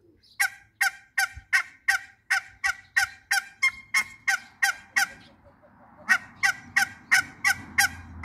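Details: Backyard mallard, one of a pair meeting two male and one female hybrid runner ducks; about twenty loud, rasping quacks in a fast, even run, with a short break midway before the series resumes.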